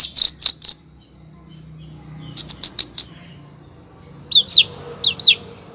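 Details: Female long-tailed shrike calling persistently to a male: loud, sharp, very high chattering notes in quick groups of three to five, followed by a pair of rising, slurred squeaky calls.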